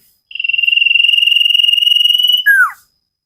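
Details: Vigorous song of a common iora in a cage-bird training recording: a long, even, rapidly pulsing whistle on one pitch lasting about two seconds, finished by a brief downward-swooping note.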